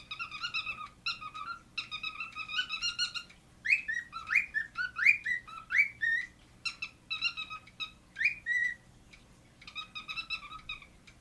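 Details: Roy, a cockatiel, gives squeaky chirps imitating a dog's squeaky toys, plus rising whistles including a wolf-whistle imitation.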